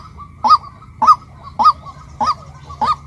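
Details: Five hoarse, honk-like notes from a female white-breasted waterhen, evenly spaced about half a second apart, each bending upward then dropping, against a quiet low hum.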